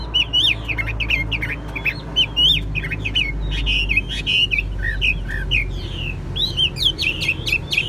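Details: Caged Chinese hwamei, kept for singing and fighting, sings continuous jumbled whistles and chips over a prominent low rumbling background noise.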